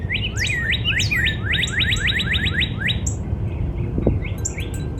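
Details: Backyard cardinal song in spring: a rapid, even series of about ten rising whistled sweeps over three seconds, then sparse high chirps from other birds and a soft low hum.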